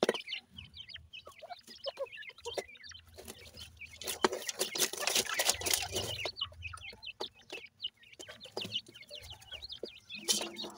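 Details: Francolin chicks, called Irani teetar, feeding and squabbling with their mother; dense chorus of high chirps and peeps, a noisy burst of scuffling midway, low soft clucks beneath.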